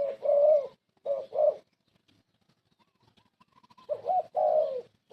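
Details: Spotted dove used as a decoy to lure birds for trapping: soft husky cooing phrases, a long coo then two shorter notes, a pause with faint ticking, then another coo series.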